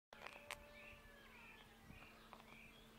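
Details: Tui flocking to a suburban kowhai tree on a summer day to feed on nectar; faint musical whistles near the upper mid range mix with sharp clicks early on, over a steady low hum.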